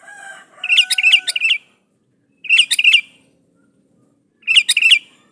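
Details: A sooty-headed bulbul sings energetically to call out a rival, delivering chattering phrases of rapid whistled notes, the first one longer, about every two seconds. A faint, steady lower tone sounds under the first phrase.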